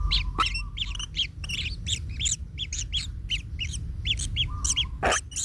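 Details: Kingfisher nestlings under a trampling parent, one chick in pain: harsh repeated rasps in an uneven chorus with a faint steady whine and a couple of sharp knocks.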